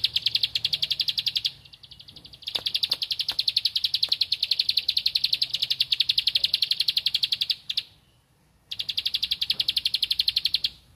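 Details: Bar-winged prinia singing loudly while looking for a rival: long trains of rapid, sharp, evenly repeated high ticking notes, broken by short pauses near two and eight seconds, with faint low background rumble.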